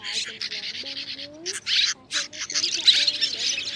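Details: Three kinds of swiftlet, including white-bellied and grey-brown, call their flock in to roost in a thicket. Bursts of high, harsh twittering come in clusters separated by short pauses, with low gliding whistles beneath.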